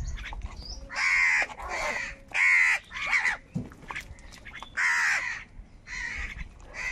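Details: Crows fighting for food burst into a long series of raucous, hoarse caws, eight or so rasping calls in seven seconds, loud and closely spaced.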